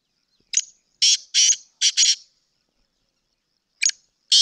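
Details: Sindhi black francolin uttering a phrase of five loud, scratchy notes in quick rhythm, then after a pause a new phrase begins.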